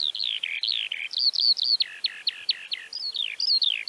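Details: Eurasian Skylark in Central Russia pours out a fast, unbroken stream of high, chirruping and trilled notes with quick rising and falling slurs, against a quiet background.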